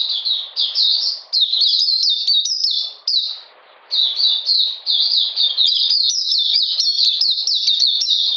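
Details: In cold rain on 13 June 2020, a caged Oriental magpie-robin pours out quick, bright, slurred whistles in long runs, pausing about one second midway before resuming even faster.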